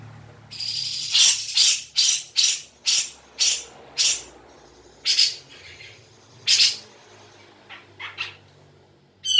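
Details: Recording of a grey-cheeked bulbul meant to stir a caged bird into song: spaced, scratchy chirps about every half second over a hissing background, thinning out toward the end.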